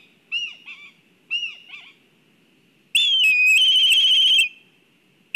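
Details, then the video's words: On a live nest camera in Kurzeme, Latvia, a black kite stirred up at the nest gives two bursts of short slurred whistles, then a loud, drawn-out quivering whinny of about one and a half seconds. "Satraukums ligzdā Melnās klijas (Milvus migrans)"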